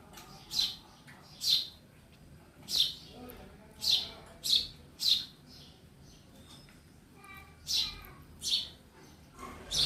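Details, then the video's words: Indoors at home, a sparrow gives sharp, high chirps, single or in quick pairs, scattered irregularly over ten seconds, with a quiet room hum beneath. "Real sound of sparrow in my house"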